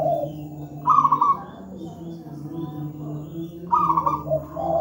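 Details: Zebra dove of local wild stock giving a big, deep master song: two loud rolling trilled coos about three seconds apart, each preceded or followed by a lower soft note, with a low hum behind.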